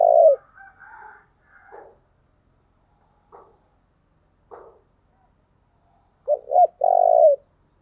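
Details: Spotted dove lure song for attracting wild doves. A long coo tails off at the start, then scattered faint chirps, and finally a fresh phrase of two short coos and one long, level coo.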